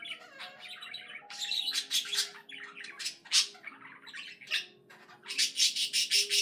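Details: Pet budgie singing a busy, chattering warble of rapid chirps, buzzy squawks and sharp clicks, growing louder and denser toward the end, with a soft steady hum behind.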